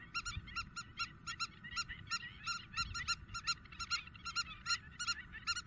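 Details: Spur-winged lapwing calling intensely in Greece during April 2023: a steady stream of sharp, piercing, clipped notes, several per second, with twittering notes between and a faint low rumble beneath.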